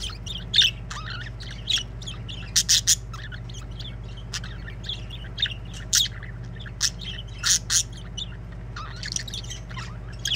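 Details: Budgerigars singing: a scattered chatter of high, thin chirps and short squeaky notes, some louder clicks, set against a steady low electrical hum.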